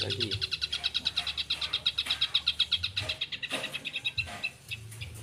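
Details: Long-tailed shrike in energetic song rich in filler phrases: a rapid, slightly buzzy rattle of repeated notes for about three seconds, then scattered harsh notes, against noticeable low background noise.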